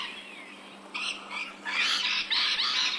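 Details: Rainbow lorikeet from Australia in an ambisonic surround recording: a faint thin whistle comes first, then loud grating screeches that grow into a dense, buzzy squawking burst toward the end.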